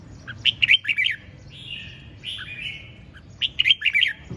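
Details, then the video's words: Vigorous ché chẻ singing from a red-whiskered bulbul, loud runs of quick, bright whistled notes at the start and end framing long, smooth buzzy notes that slide slightly downward. "Hót Cực Sung ( Ché Chẻ Cực Đỉnh)"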